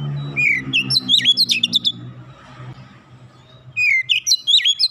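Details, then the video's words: Oriental magpie-robin in training therapy: two bursts of sweet slurred whistles and sharp upswept notes, separated by a pause, with a low hum beneath. "terapi Kacer bahan cepat gacor nembak rapat"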